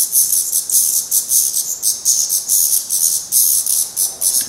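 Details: At the nest in Portugal, young black redstarts still cared for by parents keep up steady, very high hissing pulses, around three a second, without pause.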